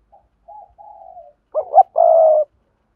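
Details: Spotted dove giving a sa thúc, gù and gáy calling sequence used to lure wild doves. Soft, low hooting coos come first, then a louder, throaty burst and a long, steady coo. Nothing else is heard.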